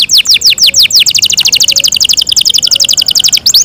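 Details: Long melodious Yorkshire canary song, opening with a few swooping whistled notes and running into a fast, even trill of many short chirps.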